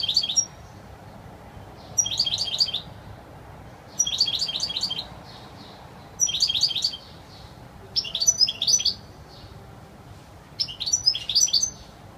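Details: European goldfinch singing a clear, pure wild-style song; six short, bright twittering bursts of high, tinkling notes, each under a second, spaced roughly two seconds apart over a quiet background.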